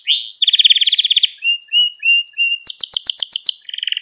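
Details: Canary training song meant for teaching young canaries, a clean recording of rapid trilled tours: a fast buzzy trill, then short whistled notes in pairs, a bright high rattling series and a lower trill at the end.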